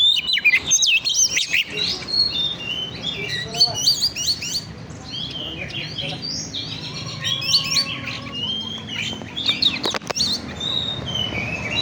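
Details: Lure recording of oriental magpie-robin song to stir up birds, a dense and continuous medley of high whistles, chattering trills and squeaky notes, several per second. Faint voices and clicking are heard underneath.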